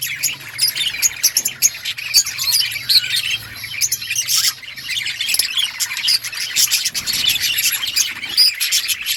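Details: A flock of budgies in an outdoor colony chirps continuously, with busy overlapping tweets, scratchy squawks and occasional brighter whistled notes standing out from the chatter.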